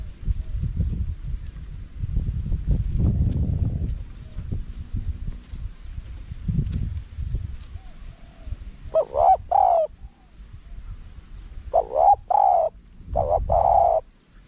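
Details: Spotted dove, recorded as a lure for wild doves in wild-style small-voiced phrasing: rumbling handling noise and low murmurs at first, then three groups of rich coos in the second half.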